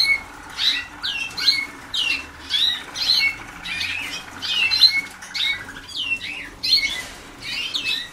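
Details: Young Waterslager canaries, pupils a few days into song training with much still to learn, sing indoors in rapid overlapping bursts of high chirps and trills, phrases repeating roughly every half second, several birds at once.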